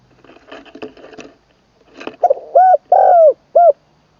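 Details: Trained Zebra dove decoy bird at an evening calling session gives three loud, mellow coos, the middle longest and the last clipped short, after a second of faint rustling and soft chatter.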